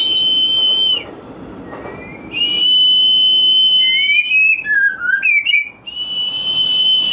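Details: White-rumped shama song played as a lure to stimulate breeding and raise breeding drive: long steady high whistles, each held about a second, broken by lower gliding and dipping whistled notes.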